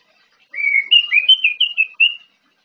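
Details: An orange-headed thrush in the morning gives a quick run of clear, sweet whistled notes, rising and falling, lasting under two seconds, with nothing else heard.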